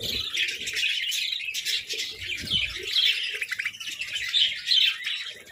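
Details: Several pet budgies, also called parakeets, compete for favourite treats, producing continuous busy chirping with quick trills and scratchy notes layered over one another, plus faint low rustling.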